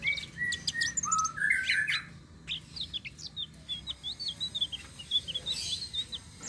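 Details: Flowerpecker of the tledekan sitrun selendang biru type in a rolling, continuous song used to lure other birds: busy high twitters and slurred notes, then a run of rapid repeated chips, roughly three per second.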